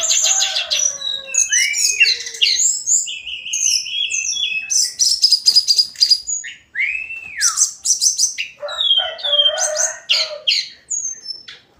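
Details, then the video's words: Hill blue flycatcher daily song, long and varied: dense high twittering, curved whistled slurs, looping rising and falling notes and scratchy passages delivered almost without pause. "Kicauan harian Tledekan gunung"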